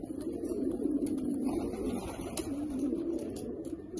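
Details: Rare pigeons described as Australian. Low, soft cooing rolls on almost continuously in a throaty, wavering murmur. Faint clicks are audible in the background.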